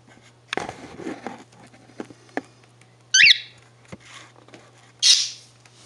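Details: A pet budgerigar walking around gives two sharp, scratchy chirps over soft rustling and a low indoor hum.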